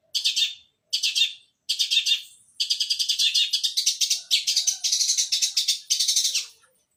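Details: Long-tailed shrike in fighting mood giving sparrow-like song: short bursts of harsh buzzy chatter separated by pauses, merging into a longer continuous scratchy rattle.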